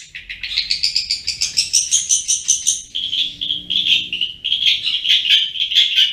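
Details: Long-tailed shrike in nonstop ngriwik-style song: a rapid chattering series that climbs in pitch, then settles into a level, grating run of quick scratchy notes.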